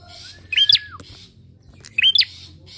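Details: Two sharp rising chirps from a bar-winged prinia, used as a lure for other birds, are heard about a second and a half apart, with a long faint whistle before the first and low hum.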